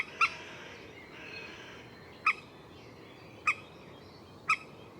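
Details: Common moorhen calling single abrupt, clipped notes roughly once a second, with a faint low murmur between them.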